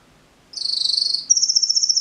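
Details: Canary singing: two rapid buzzy trills, the first a fast pulsed roll, then a higher, thinner, steadier rattle, each lasting under a second, against a quiet background.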